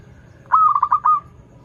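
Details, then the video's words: One short cooing phrase from a local zebra dove, a lure for learning singers: a clean opening note followed by a rapid run of four or five rolling pulses, fading out smoothly. "PERKUTUT LOKAL GACOR Suara Merdu || pancingan paling disuka perkutut yg belajar manggung"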